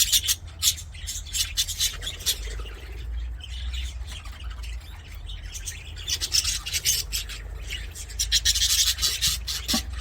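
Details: Budgies singing and playing in an aviary: loud bursts of rasping squawks and chirps from several birds, pausing and resuming in waves, with a continuous low hum beneath.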